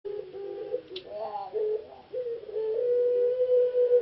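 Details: Caged ringneck dove of the puter pelung type, a competition bird that reached the semi-final of a natural-sound bird contest in Jogjakarta, Indonesia. It gives low coos with wavering onsets that run into a long, steady drawn-out note over a faint hiss.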